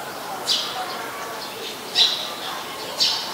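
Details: Eurasian tree sparrow, a very common resident, recorded 10 May 2020 in Ubon Ratchathani, Thailand: three sharp, high chirps spaced about a second apart over a faint background hiss.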